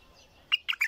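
A bulbul bursts into song after a moment of quiet, with three quick, bright, bubbly phrases packed into half a second.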